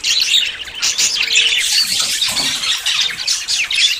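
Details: Budgerigars making courtship sounds before breeding chatter continuously in a dense, high warbling jumble of chirps and squeaky notes, with several birds calling at once.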